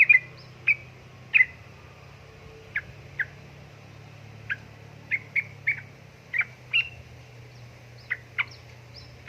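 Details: Sooty-headed bulbul female calling a male: clipped single chirps at irregular intervals of roughly half a second to a second, against a steady low-pitched hum.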